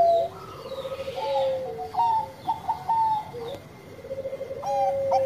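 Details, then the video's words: Mellow song of a Bangkok zebra dove: drawn-out coos mixed with short clipped notes, and a lower second voice cooing alongside. "Perkutut Bangkok Gacor Suara Merdu"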